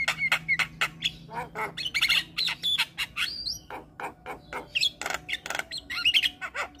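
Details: A Javan myna sings to provoke rival mynas, pouring out rapid harsh chatters, clicks and short looping whistles over a low background hum.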